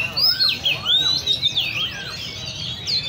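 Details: Caged Oriental magpie-robins at a bird cafe in Le Thi Rieng park. They give looping whistled phrases, arched slurs and dipping notes in uneven bursts, ending with a sharp rising whistle.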